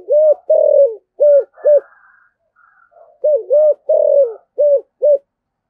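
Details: Spotted dove, 'giọng thổ sấm' voice, repeats its cooing phrase twice: short, long, short, short, deep rounded notes with a longer slurred one, faint chirps in the pause.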